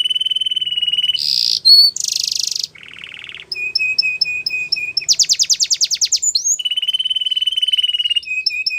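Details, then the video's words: Yellow canary singing a training song: a varied sequence of rapid trills at different pitches, buzzy bursts, a low rattling phrase, then fast sweeping notes and steady high trills, clean with no other sounds. "Yellow Canary Singing | The Best Canary Training Song"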